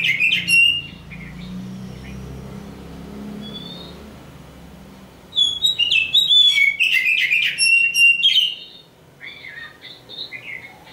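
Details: Black magpie-robin called Kacer Hitam, a championship hopeful: an opening whistled burst, a quiet stretch with low hum and one thin note, then a vigorous outpouring of bright whistles and rattling notes, softening at the end.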